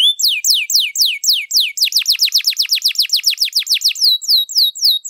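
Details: Long, elaborate canary song meant for training other birds: bright descending whistled notes in steady series, speeding into a dense rolling trill and closing with a sustained high tone.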